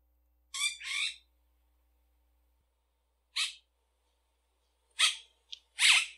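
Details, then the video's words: Yellow-rumped cacique giving loud, raspy, crackling note bursts, two close together, then a single burst after a pause, followed by a brief click and a harsh final phrase; otherwise silent background. "Canto de xexéu"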